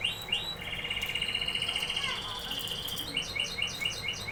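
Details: Canary singing a long, fast, even rolling trill on one pitch, followed by short repeated whistled notes.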